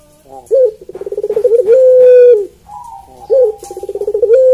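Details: A melodious puter pelung coo from a Barbary dove: a sharp opening note, a rippling run of pulses, then a clear held tone. A second phrase begins with the same note and trill.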